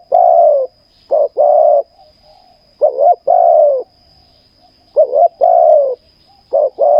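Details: During ground decoy trapping, a spotted dove coos steadily: four phrases, each a brief stuttered double note leading into a long, smooth, gently falling coo, spaced roughly two seconds apart, with a faint high-pitched hum behind.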